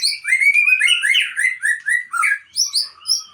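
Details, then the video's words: Song of a white-rumped shama from Aceh, labelled a super fighter: a loud, continuous run of varied whistled notes, some high and sharp, delivered in quick pulsed bursts. "Murai Aceh"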